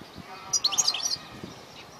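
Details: Male European goldfinch on a cloudy, nearly rainy day, in a song with takrim and matali' phrases. A single quick cluster of sharp, high, liquid twittering notes lasts well under a second, with faint background noise before and after.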